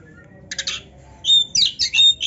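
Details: Oriental magpie-robin singing a lavish filled song (gacor, full isian, narung) with tail flaring: a short raspy burst, then loud, piercing, pure whistled notes and harsh chatter in quick succession.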